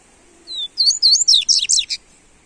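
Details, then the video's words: Rusty-collared seedeater warming up its song: a thin descending whistle followed by a rapid run of high, sharp twittering notes, about eight bright syllables in under two seconds. "Esquente seu papacapim Coleiro"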